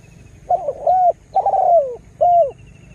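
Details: Spotted dove used as a lure bird to rouse wild birds, just starting to sing vigorously: three mellow, slightly descending coos over about two seconds, with faint high chirps of other birds behind.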